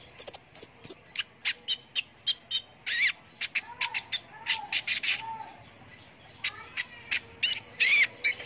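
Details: Brown-throated sunbird in busy song to excite competition birds: thin high piping notes, then a rapid series of sharp chirps with a soft lower hum in the middle and a short pause before resuming.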